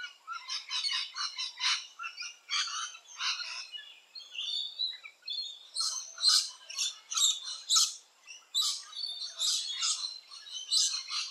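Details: Rainbow lorikeets nesting in tree holes give harsh, high, rasping screeches in fast overlapping bursts, roughly one a second, with brief lulls between bouts of chatter.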